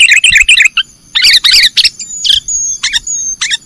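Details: Kutilang, the sooty-headed bulbul, in nggaruda-style training song for cage birds: fast bubbly warbles and harsh chirps, followed by thin high drawn-out whistles and scattered short notes.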